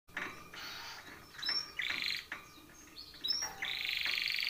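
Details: Timbrado canary training song: a quieter passage of varied high phrases, short buzzy rolls and whistled notes broken by brief pauses, slightly distant in sound.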